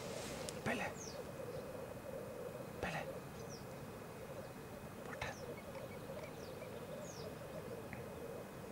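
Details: Many black grouse cocks, 38 in all, at a lek in Elverum in 2008: a dense, unbroken low bubbling rookoo chorus, cut by sharp hissing sneezes about every two seconds and occasional thin descending whistles.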